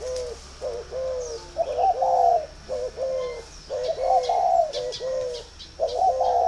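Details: Captive spotted doves at a northern Vietnamese dove farm in Ba Vì, calling as a sign of readiness to pair: soft low coos in short phrases of two to three notes, repeated several times, with faint high chirps from other birds.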